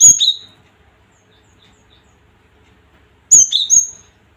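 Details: Cinereous tit lure call for rousing other birds' aggression. Two short phrases about three seconds apart, each a click followed by high whistles falling to a lower note.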